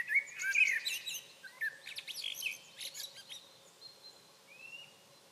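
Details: A blackbird singing at Sunnansjö, Sweden, on 21 June 2023: a mellow, fluty warble breaking into a high, squeaky twitter, then a faint lone whistle over a soft steady hum.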